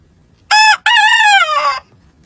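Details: Rooster crowing in the morning: a short opening note, then a long harmonic crow that wavers and drops at the end, about one and a half seconds in total.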